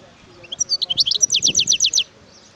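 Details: Wild European goldfinch delivering one lively phrase of rising chirps that speeds into a rhythmic run of about eight evenly spaced high notes, lasting roughly one and a half seconds, over faint low noise.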